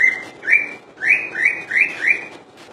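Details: Common iora in Indonesia singing 'full dor': steady series of six loud upslurred whistles, each rising then holding level, repeated about every 0.3 to 0.5 seconds.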